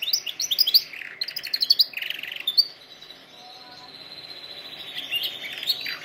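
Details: Canary song meant for training canaries: bursts of sharp high chirps and a buzzy trill open, then a long sustained even whistled tone fades and rises toward the end.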